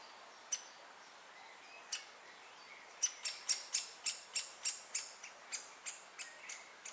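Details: Great spotted woodpecker chick being fed by both parents at Moat Farm, possibly the last chick unwilling to leave the nest; a few sharp isolated notes, then a rapid run of about a dozen loud, harsh, clipped calls fading toward the end.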